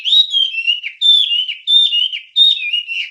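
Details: A wambie's whistled song, recorded for songbird training: four clear, sweet phrases, each starting high and wavering downward, about one second apart.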